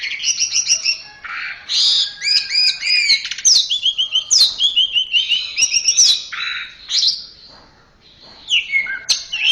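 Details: Orange-headed thrush singing a fast, varied stream of clear whistled phrases, high chirps and short rising and falling notes, with brief buzzy bursts and a pause near the end; a training recording for captive songbirds.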